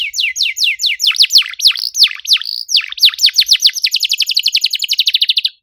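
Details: Canary in full song: rapid, varied falling and looping whistles that build into a fast, even trill near the end, dense and bright throughout.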